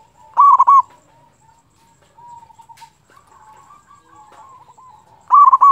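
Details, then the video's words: Zebra dove song used to provoke other doves. A loud rolling coo burst is followed by long soft wavering coos, and another loud burst comes about five seconds later. "pancingan perkutut lokal gacor suara ampuh bikin lawan cepat bunyi"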